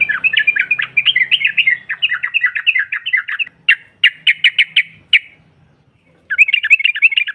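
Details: Ngropel chatter of a female yellow-vented bulbul meant to provoke rivals: a rapid bubbling trill, then about six separate loud clipped notes, a pause, and the fast chatter again.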